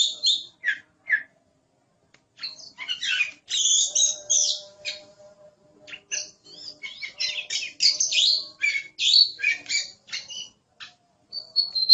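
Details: Oriental magpie-robin (kacer) singing quick varied phrases of high whistles, clicks and chatter, opening with a few separate notes, then a long dense stretch, ending on a thin high whistle.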